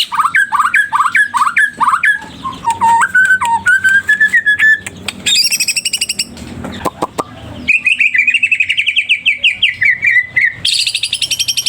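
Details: A white-rumped shama in full song, seeking an opponent: looping rising whistles repeated in a row, sliding whistled notes, sharp clicks, a high buzzy burst, then a fast rattling trill and a shrill high flourish.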